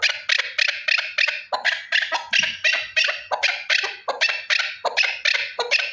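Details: One male partridge giving a long run of rough, chattering notes, roughly three per second, loud and insistent with slightly uneven spacing.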